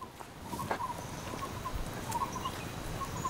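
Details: Barbet in the Dong Phayayen–Khao Yai forest, Thailand, whose name comes from its call: soft hollow notes at a steady pitch, repeated in quick short runs, faint above a hissy forest background with thin high tones from other creatures.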